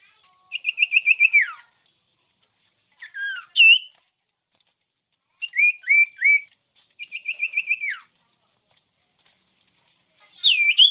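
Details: Common iora song used to trigger singing in birds: quick trills of repeated notes ending in a downward slide, twisting looped whistles, and three short falling notes, in phrases separated by silences.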